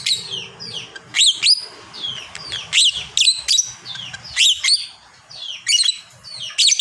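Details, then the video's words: Vocal fighter lovebird with a long chatter: clusters of piercing, high, down-slurred squeaks come in rapid groups, separated by short quiet gaps. "berkat suara burung lovebird ini banyak yang nyaut"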